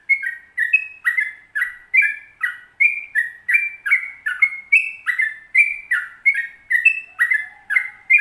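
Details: Sooty-headed bulbul singing actively in long 'ropel panjang' style: an unbroken, even chain of bubbly whistled notes, about two per second, bouncing between higher and lower pitches throughout.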